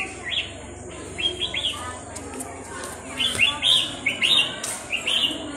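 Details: Hand-raised red-whiskered bulbul, tame since young, singing short bright warbled phrases in clusters of two to four quick chirpy notes, repeated several times with brief pauses, against a low background hum.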